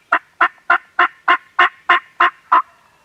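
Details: Loud, evenly spaced turkey gobbling on a farm: nine rattling pulses at about three per second in one continuous bout, taken with a Canon G7X camera.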